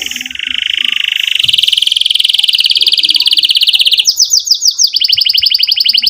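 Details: Canary singing energetically to stimulate young canaries and restart birds that stopped singing: a long, slightly rising buzzy roll, then a quick pulsing chirp trill.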